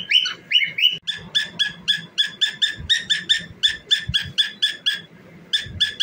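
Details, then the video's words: Cockatiel singing and dancing opens with a few whistled upslurs, then shifts to a fast string of harsh harmonic chirps, about three per second, ending after a short pause with more chirps. "Famous Cockatiel Singing and Dancing"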